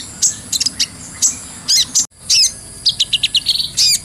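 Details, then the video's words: Brown-throated sunbird lure song: bright piercing chirps, a short break, then a quick run of repeated thin notes ending in a buzzy trill over a soft trickle of water. "MASTERAN KOLIBRI NINJA (KONIN) SANGAT COCOK BUAT ISIAN FULL NGOBRA,GACOR,SUARA JERNIH"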